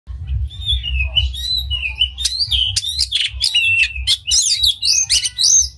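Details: Oriental magpie-robin with an unusual song, tail spread, sung to provoke other magpie-robins: varied clear whistles, slurs and rapid chattering phrases over a steady low rumble.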